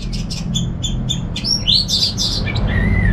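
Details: A kept orange-headed thrush (Geokichla citrina) from Singaraja, North Bali, sings a quick run of high chirps and sweet warbled phrases over a low hum. It is used as a lure and master song recording.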